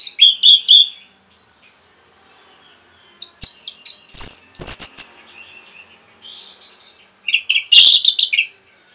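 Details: Orange-headed thrush in rapid song aimed at provoking other birds: quick high chirps, then loud tumbling whistled phrases with buzzy notes, a brief lull and a final burst of sharp high notes.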